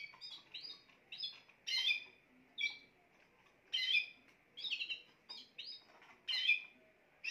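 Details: A Spanish timbrado canary sings a lively run of chirps, sweeping notes and dense trilled bursts in rapid succession, high and bright, with a soft continuous hum behind.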